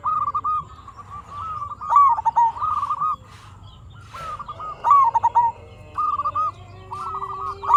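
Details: Local zebra dove in full lively song, used as a lure to make other zebra doves answer. Mid-pitched cooing phrases open with a rolling trill and end in quick stuttered notes, about every one to two seconds, with a low hum beneath.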